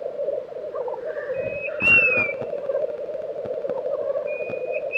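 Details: Lekking black grouse, Tiveden, Sweden, April 2023: unbroken low bubbling chorus, a sudden louder rushing burst near the middle, and clear drawn-out whistles from another bird at start and end.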